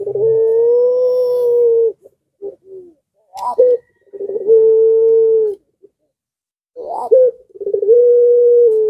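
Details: Zebra dove in breeding mood, its song prompting surrounding doves to call along: long sustained level coos alternating with sharp upswept notes and short rolling stutters, repeated about three times.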